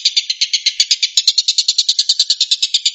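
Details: Collared kingfisher, called tengkek buto, in 'tembakan' song: brief burst of rapid, rasping notes at roughly eight per second, slightly quieter at the start, then growing stronger.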